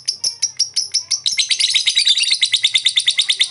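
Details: Lovebird giving its long chattering ngekek, used as therapy to spur lazy birds to answer: a few spaced sharp chirps, then a fast, dense run of high harsh notes repeated about three per second, steady and ringing.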